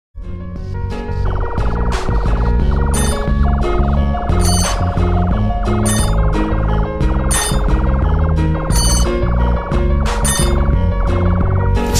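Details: Loud rhythmic music with a steady beat, repeating melodic tones and percussive hits throughout, no animal calls heard.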